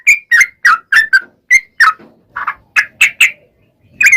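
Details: Sooty-headed bulbul, locally trucukan, in lively gacor ropel song used as a lure to prompt replies: clusters of short whistled and slightly harsh notes with brief gaps in between.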